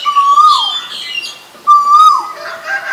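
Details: Asian koel giving two loud whistled notes about a second and a half apart. Each note holds level, rises slightly, then drops sharply at the end. Faint other bird sounds sit in the background.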